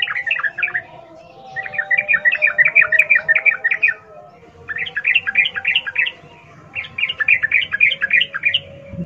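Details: Wild-style 'ngalas ropel' song of the sooty-headed bulbul, a prompt for captive birds: four long runs of rapid, regular chirping notes separated by short quiet gaps, with a continuous low hum throughout.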